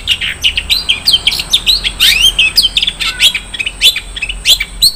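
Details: Long-tailed shrike delivering a dense 'isian mewah' filler song: a rapid, unbroken stream of high chirps, rising squeaks, slurred whistles and a brief buzzy sweep, steady and loud throughout.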